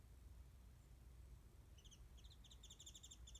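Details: Warbling white-eye singing from a perch above a garden feeding spot where it is given mandarin oranges, somewhat distant, filmed by smartphone; high, rapid twittering phrases begin midway and run to the end over low steady background rumble.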